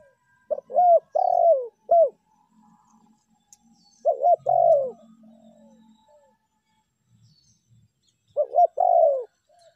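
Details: Spotted dove (tekukur) lure call in meratus and melambung styles: three mellow cooing phrases spaced about four seconds apart, each with a long descending middle note. Soft low background sounds fill the gaps.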